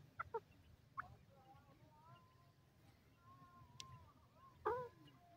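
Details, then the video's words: Francolin giving a few short, harsh clucking notes, two close together near the start and a louder burst near the end, with faint tones in a quiet background. "speech of the francolin"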